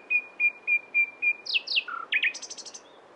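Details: Nightingale song: five even, level whistled notes, then steep downward-sweeping slurs, a low note, a quick rising phrase and a fast high trill of short repeated notes, clear against a quiet outdoor background.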